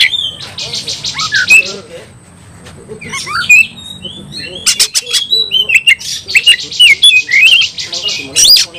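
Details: Oriental magpie-robin singing to stir other birds into fighting: buzzy rattling bursts alternating with whistled upslurs and sharp chips, with a quieter stretch midway.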